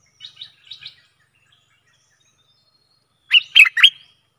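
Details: Stripe-throated bulbul used as a decoy for fierce wild birds: three soft high chirps, a long silence, then a loud burst of three sharp, slurred notes.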